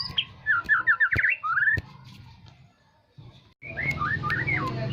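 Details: Aceh-type white-rumped shama song used as a lure to provoke other birds: rapid whistled notes sweeping upward, a brief quiet gap, then a second run of looping whistles over low background rumble.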